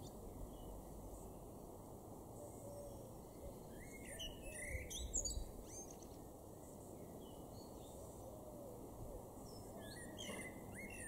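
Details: A male Common blackbird in a garden in Weener, East Frisia, northwest Germany, in May 2021 sings two phrases, each a low fluty warble ending in a high squeaky twitter, several seconds apart, over steady background hum.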